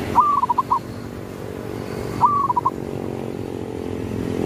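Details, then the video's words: Local zebra dove call used as a lure to draw rivals: a soft low cooing phrase, one longer note then a quick run of short coos, given twice about two seconds apart over steady rural background hum. "suara pikat paling ampuh memanggil lawan"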